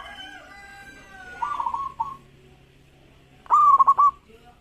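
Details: Local zebra dove in lively, fast-responding song: a single loud phrase near the end, a clear note breaking into a rapid rolling trill, after softer distant cooing and a low steady hum.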